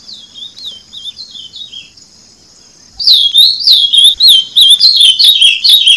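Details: Ultramarine grosbeak (Cyanocompsa brissonii) giving a soft, distant-sounding warble over a steady high whine, then after a short pause bursting into a loud, rapid run of sweet slurred whistles repeated for about three seconds.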